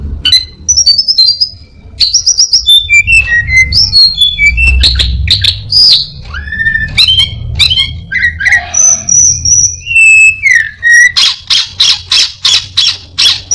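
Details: Orange-headed thrush mixing borrowed calls of other birds and a cat into a long varied song: high whistles, squeaky slurs, a drawn-out steady whistle, then rapid buzzy repeated notes at the end.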